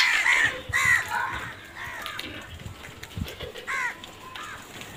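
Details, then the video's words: Several crows cawing, loud hoarse caws at the start, then softer, more distant caws and scattered background noise, with two clear caws near the end. "Crow sounds"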